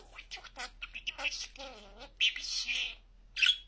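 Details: Pet budgerigar that talks very clearly, uttering scratchy chattering syllables, a wavering vowel-like phrase, then louder bursts of harsh mimicked speech.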